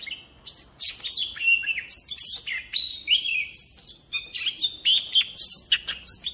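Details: Wild-style song (giọng rừng) of a decoy Oriental magpie-robin: quick varied whistles, down-slurred notes and scratchy chatters strung together almost without pause, loud and clear over a quiet background.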